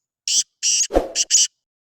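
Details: Black francolin, one of several birds heard calling in different styles: four harsh, buzzy, grating bursts in quick succession, with a short low thud between the second and third bursts, then silence.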